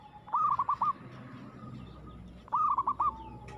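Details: Aggressive zebra dove song: two brief rolling coo phrases of about five quick notes each, spaced two seconds apart, over a noisy background with a low steady hum.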